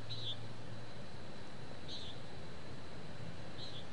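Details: A common nighthawk over a town gives three brief, harsh, nasal peent notes spaced nearly two seconds apart, picked up with a parabolic microphone against a continuous low town rumble.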